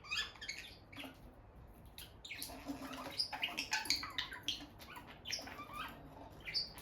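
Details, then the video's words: Peach-faced lovebird couple, pet birds sitting close near the nest box, trade rapid sharp chirps and thin high squeaks in irregular bursts, with light movement noise and a low background hum. "Parrot Chirping Sounds – Relaxing Lovebird Couple Vocalizations"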